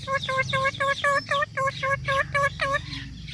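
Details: Parrot repeating a short, nasal, harmonic note about four times a second, a dozen times in a steady run, with low background rumble.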